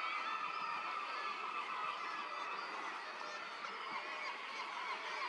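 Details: Northern fulmars at the Arbroath cliffs on 15 June 2022 give a harsh, guttural cackling that runs on without pause, rapid chuckling notes overlapping as though from several birds at once.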